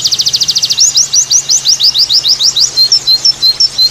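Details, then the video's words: White-eye singing in the 'tembakan' variation style: a rapid, high buzzy trill of closely repeated notes, then sharp rising slurred chips repeated about three to four times per second, in a quiet setting with a faint low hum. "Pleci Tembakan Variasi"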